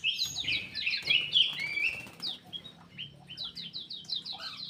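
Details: Black-crested bulbul from an aviary, sung to prompt silent birds: a loud chattering whistled phrase, then quieter rapid repeated slurred notes, over a low rumbling background.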